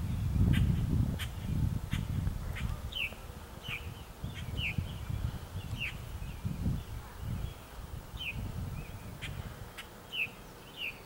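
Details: Three feathered purple martin nestlings in a backyard, not yet fledged, give short, high, down-slurred chirps, repeated irregularly about every half second, over a steady low rumble of wind or handling noise.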